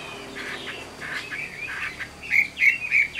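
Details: Chinese hwamei, wild-caught adult kept caged, gives soft burry phrases in a noisy background, ending with three louder short whistled notes about a third of a second apart.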